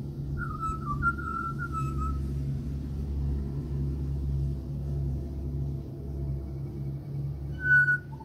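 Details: Australian pied butcherbird near a house, giving a short run of clear, flute-like whistled notes that dip and rise, then falling silent before one more pure note near the end, over a steady low rumbling hum.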